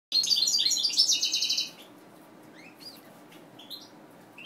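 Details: Captive-bred mutation European goldfinch singing a fast, twittering burst of high trilled and buzzy notes for under two seconds, followed by a few scattered thin chirps against a quiet background.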